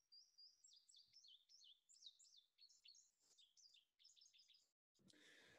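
Indigo Bunting song: high, bright notes given in pairs, sweeping down and rising, ending in a quick run of doubled phrases; a brief break follows, then a soft rumble.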